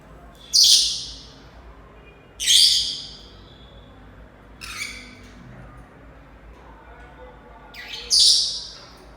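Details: An African grey parrot, apparently unhappy with the household's Senegal parrots, gives four harsh, rasping squawks, each under a second, at uneven gaps of about two seconds in a quiet indoor room.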